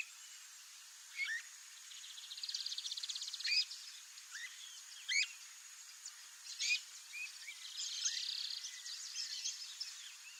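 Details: Migratory streamer-tailed tyrant, wild in Brazil's wet marshes: a rapid ticking rattle followed by sharp single notes spaced irregularly, then another dense buzzy burst, with steady hissing ambient noise.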